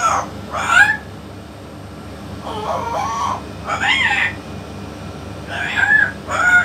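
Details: Talking yellow-naped amazon parrot. It produces five raspy, voice-like phrases with arching, bending tones, separated by short gaps, over a constant low background drone.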